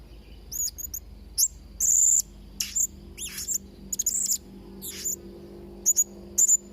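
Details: Blue-crowned hanging parrot song, played as a tutor for young birds: thin, very high chirps and short sharp notes around 6–8 thousand cycles, in scattered bursts with brief gaps and a faint low hum behind.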